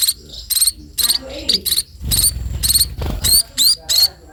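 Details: Sparrows being fed give shrill, scratchy begging chirps in bursts, mixed with soft rustling and low handling noises midway.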